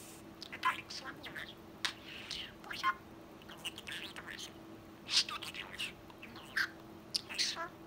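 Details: Pet male budgerigar, about twelve months old and sky-blue, talking indoors: quick high-pitched chattering syllables and scratchy warbles in short bursts separated by pauses, with a steady low hum underneath.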